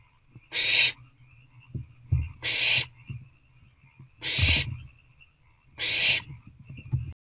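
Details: Owl box at night, 22 April 2024, three owlets while food is brought in: four raspy hissing screeches roughly every 1.7 seconds, over steady low rustling and scratching from the chicks moving about.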